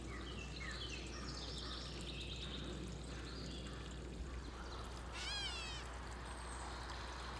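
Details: Gray Catbird in a backyard in summer 2021 gives one hoarse, cat-like mew with a slightly wavering, falling pitch, with scattered notes from other songbirds and a low steady hum.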